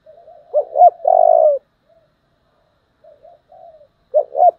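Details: Decoy recording of a spotted dove with a strained 'giọng thổ' coo: a soft lead-in, two sharp hooted notes, a drawn-out rich coo, quiet wavering notes after a pause, then two more clipped notes.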